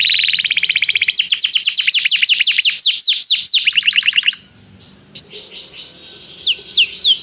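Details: Canary calling another canary to sing, as song training; a long, rapid run of descending chirped notes in steady series, then softer scattered swoops and a couple of sharp slurred notes at the end.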